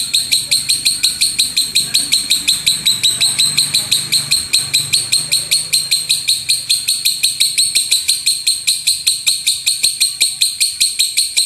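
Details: Lovebird pouring out a loud rumbling tembakan song meant as training material for other birds: shrill grating pulses hammered out evenly for over ten seconds, with a faint low hum beneath.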